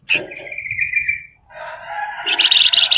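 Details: Flamboyan bird song played as a lure to get other birds singing: a sharp note, then a thin sustained whistle, then warbling that builds into a loud, rapid, high-pitched rattling trill.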